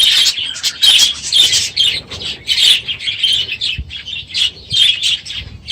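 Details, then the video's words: Budgerigars in an aviary at the end of the breeding season, loud in the morning; bursts of high chirps and chattering warbles in uneven clumps with short gaps, many birds calling together. "My Budgies Today - NOISY birds this morning!"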